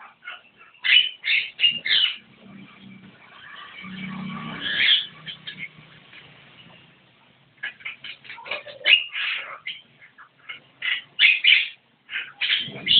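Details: Javan myna in energetic song, giving clusters of harsh, grating squawks and chatters, a quieter low murmuring stretch partway through, then renewed bursts of loud rasping notes.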